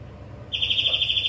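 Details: Greenfinch singing: after a short quiet start, a fast, high, evenly pulsed trill begins and runs to the end.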